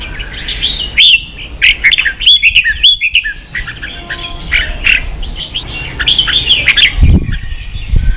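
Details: Red-whiskered bulbul kept in a cage, pushed into competitive singing, delivers rapid warbled and whistled phrases with sharp chirps, busy and varied. Low thumps near the end, probably cage noise.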